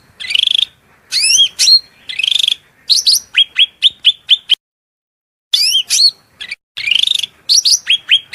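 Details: Piercing cucak rante song: buzzy bursts and sharply sweeping whistled notes in rapid phrases, broken by a brief silence before the loud shrill phrases resume.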